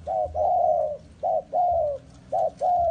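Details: Spotted dove kept as a bait bird for trapping, readied to be taken to the forest: low, mellow coos in pairs, a short note then a longer slightly falling one, the pair repeated three times in quick succession over faint background hum.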